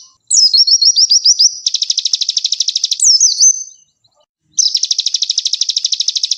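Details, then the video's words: Konin song recorded as masteran for training other birds, gacor with full tembakan: quick rising whistled notes, then a long buzzy high trill, a brief twisting phrase, a short silence and the trill again. "Masteran Konin Gacor Full Tembakan"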